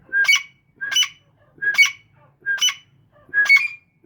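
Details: Caged grey francolin calling in a steady series of five harsh, ringing multi-part notes, each under half a second, spaced about every 0.8 seconds in quiet surroundings.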